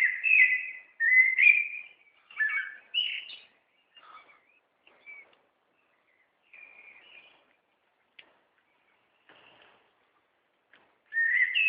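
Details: A small songbird on Turnerstraße in Gütersloh that sings for the whole neighbourhood every day, all day long. It gives bright, whistled chirping phrases in quick bursts, then quieter scattered tweets and pauses, with a loud phrase returning at the end.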